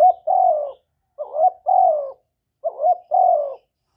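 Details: Caged spotted dove cooing and calling to spur other doves to respond, captured cleanly without background noise. Three matching phrases roughly every 1.4 seconds, each a short wavering note followed by a drawn-out descending coo.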